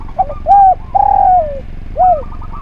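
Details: Spotted dove singing steadily, kept as training material for other doves. A small double note leads into a full arched coo, then a long coo that droops at the end, and a last curved note. Quiet buzzy chatter continues behind.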